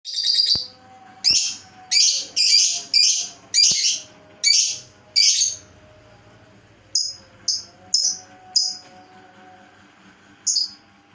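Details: Lovebird giving an unusual call: loud, shrill, high chirps in bursts of about half a second, repeated irregularly roughly every second with short pauses, over a quiet background.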